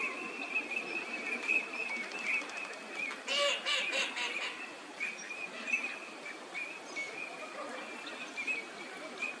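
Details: Eurasian teal (Anas crecca), wintering ducks in a park at Junsai-ike green space, Chiba, Japan, February: short high whistled calls repeated at irregular intervals over steady background noise, with a brief burst of louder mixed calls midway.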